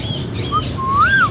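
An Indian ringneck parakeet gives a brief clear note, then a longer whistled phrase that rises and falls, over a low steady background hum.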